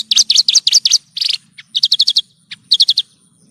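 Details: Horsfield's bush lark singing in tutor audio meant to teach caged birds: rapid runs of bright, repeated chirps grouped in fast bursts, with a brief buzzy note between runs.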